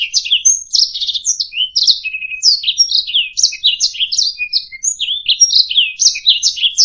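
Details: Canary warbling for use in teaching other songbirds, a dense sequence of twittering notes, short buzzy trills and sharp whistled slides, continuous and high.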